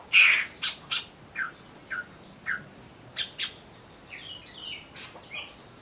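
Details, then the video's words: Greater green leafbird in an agitated mood, sung as a provoking lure: an opening loud whistle, then evenly spaced short chips and downslurred notes, ending in softer rising and falling twitters. "pancingan burung cucak ijo agar bunyi sambil emosi"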